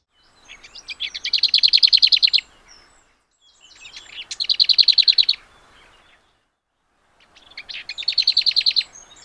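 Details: Lesser Whitethroat song, a bird of mature woodland, scrub and hedgerows, given three times: a quiet scratchy warble, like a whitethroat's, breaking into a loud, dry, even rattle, each phrase about two seconds long.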